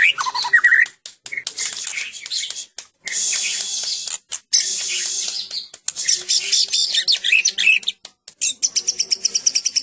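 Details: Medan white-rumped shama in a harsh, dense outpouring of scratchy high-pitched notes broken by short silences, ending in a rapid series of clipped chirps.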